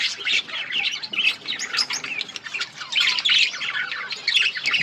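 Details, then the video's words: Busy budgerigar breeding colony: rapid squawks and warbling chirps from several birds at once, a constant scratchy babble. "Budgies parrot chirping sounds budgies birds enjoying in budgies colony"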